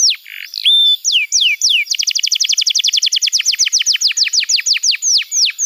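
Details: Canary song played to stimulate juvenile birds. Short slurred and looping notes open, then a steady run of high, downward-slurred chips slowly loosens its pace.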